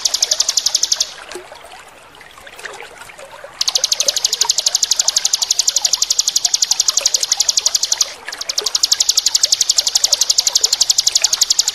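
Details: A bar-winged prinia sings ngebren, steady rapid high chips about four per second in long runs, broken by a gap of a few seconds and a shorter pause, over constant trickling water.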